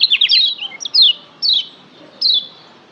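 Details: Lombok yellow white-eye song used to excite caged birds into singing: a fast run of high sliding chirps, followed by two separate downward-sweeping whistled notes spaced about half a second apart.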